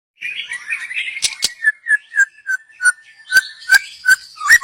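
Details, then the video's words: Young wild white-rumped shama from the forest, its song used as a lure: a run of short clear whistled notes repeated about three times a second, with sharp clicks in between. "Kicau burung MURAI BATU Muda Hutan. Cocom untuk pancingan"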